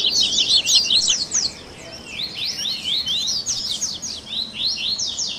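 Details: Double-collared seedeater singing in a recording meant to stimulate a captive bird: a busy tangle of high chipping trills, then sweeping rising and falling whistled notes repeated at a lively pace.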